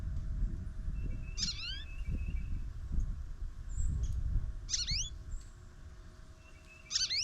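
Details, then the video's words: Chatty goldfinch at a backyard feeder after snowfall, in the morning. Three separate bursts of sharp, sweeping notes, spaced a few seconds apart, with a thin steady tone and low background rumble between them. "SING Snowy Gold Finch"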